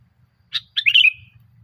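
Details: Short sooty-headed bulbul phrase from a lure recording for training bulbuls to sing: one sharp note, then a fluid rolling warble that trails off, above a soft low hum.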